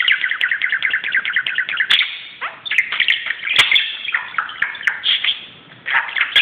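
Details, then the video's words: Budgerigar getting crazy on a closet, opening with a fast run of rapidly repeated chirps, then tumbling squeaky, buzzy warbles with brief gaps. "grasparkiet doet zottekes op de kast"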